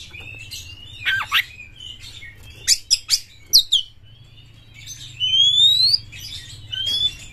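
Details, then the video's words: White-rumped shama, a prize-winning singer with tail spread, used to provoke other shamas: scattered sharp high notes and quick downward strokes, then long thin rising whistles; low hum underneath. "Pancingan Kacer Juara Gacor FullEmosi Buka Ekor KONSLET memancing KACER LAIN"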